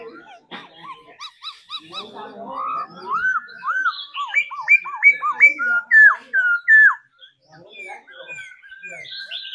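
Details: Dancing song of a trained caged laughingthrush: stuttered opening notes building into a lively sequence of loud looping whistles, then quieter scattered calls.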